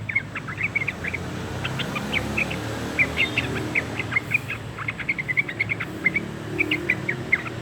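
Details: Sooty-headed bulbul aged two months practising its song, giving loose clusters of short, sharp chirps and brief twittering notes in an uneven rhythm against a constant low rumble.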